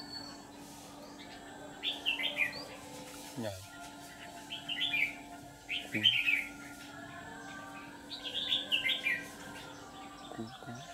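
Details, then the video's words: Red-whiskered bulbul used as a decoy to lure wild birds for trapping; short warbled bursts of bright, jumbled notes come in phrases every two to three seconds over a steady hum and low background noise. "Bẫy chào mào"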